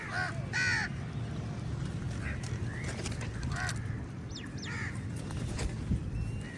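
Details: Crows competing with eagles for food. Two loud, grating caws open the sequence, followed by scattered fainter caws and thin squeaks from more distant birds over steady low-pitched background noise.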